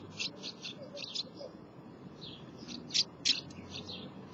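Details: House martins at their nest: quick dry chirps given in loose series, with a couple of louder, sharper notes in the middle of the run.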